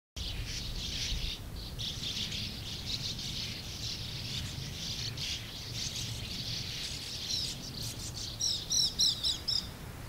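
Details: A sand martin colony of over 100 birds keeps up a dense, dry, buzzy twittering from many birds at once, with a few louder chirps near the end over a low rumble.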